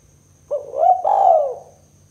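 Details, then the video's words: Spotted dove (tekukur) in lively 'kuk 2' calling, used to lure doves for trapping: a short clipped note, then a long, slurred, throaty coo that swells and falls away. A faint low hum is audible. "Suara Burung Tekukur Kuk 2 Paling Gacor"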